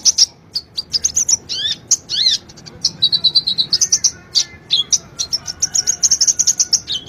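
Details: Sunbird master song for training caged birds, a continuous high-pitched stream of sharp tweets, quick slurred whistles and short rattling trills, with notes tumbling rapidly one after another.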